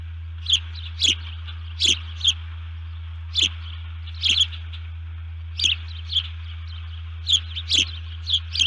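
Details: Alert calls from an osprey disturbed at the nest, recorded by nest camera at 04:35 on 1 June 2019: repeated piercing chirps, often doubled, in a steady irregular series of about fifteen over nine seconds, above a low hum.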